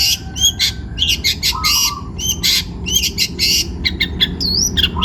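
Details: Young wild-caught long-tailed shrike in full, energetic song: rapid varied chatter of sharp high chirps, buzzy bursts and slurred rising and falling whistles, with a steady low rumble in the background.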